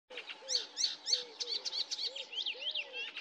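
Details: Icterine warbler singing at Løten in 2024: a rapid, varied stream of sharp chirps, slurred whistles and harsh scratchy notes, packed several per second, with low arched whistled notes beneath.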